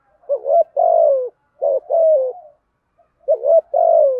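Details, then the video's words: Cooing of male and female spotted doves in field-voice style, for prompting other doves to call: three phrases, each a rising double note followed by a long, gently falling mellow coo, nothing else audible. "Chim cu gáy giọng đồng thúc gù bài bản"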